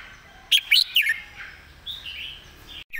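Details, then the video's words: Red-whiskered bulbul master song, fast and repetitive: a brief cluster of three bright, slurred whistles is followed by softer warbling and chatter in the background, then a sudden cut. "เพลงดี"ปากไว เดินเพลงย้ำๆ เพลงแม่บท"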